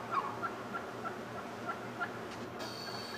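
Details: Turkey gang in the morning with a displaying, dancing male; faint, short notes repeated about every third of a second over a constant low background hum.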